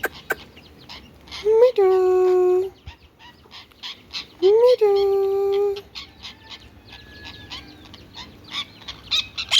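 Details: Indian ringneck parakeet talking: two drawn-out, voice-like tonal syllables, each opening with a quick upward slide and holding steady for about a second, separated by a pause, with soft clicks and chirps scattered around them.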